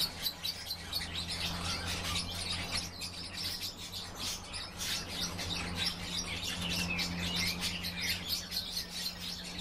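European bee-eaters call together in a busy chorus of short, rolling, liquid chirps, overlapping constantly, over a steady low hum.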